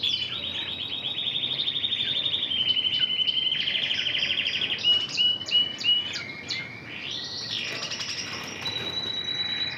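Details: Red intensive canary trained in Spanish Timbrado song performs long pulsing rolled trills changing pitch, a few sharp clipped notes, then an arched slurred whistle and a high steady tone.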